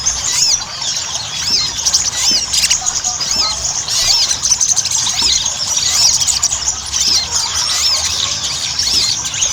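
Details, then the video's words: Ruby-cheeked sunbird lure in chatty ngobra style to get birds singing: runs of bright, high, looping chirps in quick series, shrill and continuous, with overlapping twittering throughout. "PANCINGAN SOGON AGAR CEPAT GACOR"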